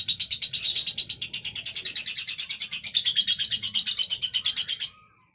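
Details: Lovebird with a single gestang song, a loud, fast, evenly pulsed high chatter for about five seconds, ending abruptly in silence.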